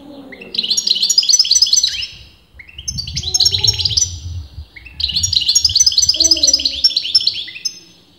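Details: European goldfinch of disputed sex, as argued among leading breeders, delivering three bursts of quick twittering song, each about two seconds of jangling high notes separated by short pauses, with faint low hum beneath.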